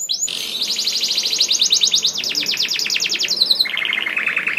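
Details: Canary song used to prompt other canaries to sing: a long fast trill of repeated buzzy notes, accelerating and dipping, ending in a lower steady rolling trill.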